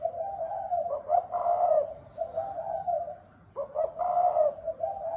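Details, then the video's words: Spotted dove, thúc bổi gáy gù style: blurred, throaty cooing in two long phrases, quieter and somewhat muffled, with a brief gap between. "Tiếng chim cu gáy đồng thúc bổi gáy gù"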